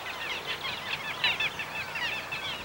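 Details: Little gulls feeding over a marsh in northwest England give soft, nasal "kay" notes almost continuously, several birds overlapping in a busy chorus around mid-high pitch, with light background hiss.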